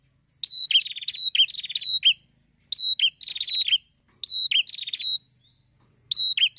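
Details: Energetic prinia song meant to stimulate other prinias to sing: repeated groups of rattling buzzy notes mixed with clear rising whistles, about four phrases spaced by brief silences.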